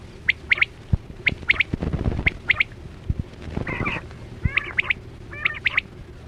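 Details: Chora batera lure call for quail hunting: triplets of sharp high notes, interrupted by a rough rustling noise and a harsher squawk, then stacked rising calls near the end.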